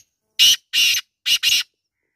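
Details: Black francolin, known locally as kala teetar, giving a loud harsh grating call of four rasping notes: two longer buzzy notes, a pause, then a quick clipped pair, with no other sound.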